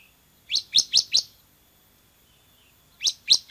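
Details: Bar-winged prinia in an actively singing training recording: four sharp, high, downslurred chirps in quick succession, a pause of nearly two seconds, then three more.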